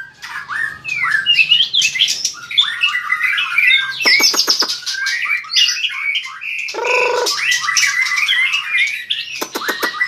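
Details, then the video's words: Long-tailed white-rumped shama in heated competitive song with powerful tail-flicking; varied rapid phrases of whistles, buzzy notes and sharp clicking bursts, with a low nasal rasp midway. "chòe lửa hót đập đuôi cực mạnh"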